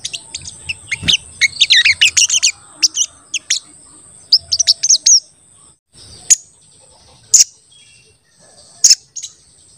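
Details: Crested jay (sogon) calling as a lure, also for trapping wild birds: dense volleys of very high, squeaky chirps, then a quieter stretch broken by three loud sharp clicks about a second apart.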